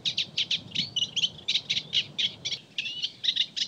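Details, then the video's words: Eurasian reed warbler (Acrocephalus scirpaceus) singing at Audierne Bay, Finistère, Brittany, France, late April–early May 2022: a steady chattering run of scratchy churring notes, several per second, mixed with higher whistled phrases. "ROUSSEROLLE EFFARVATTE (Acrocephalus scirpaceus) Chant"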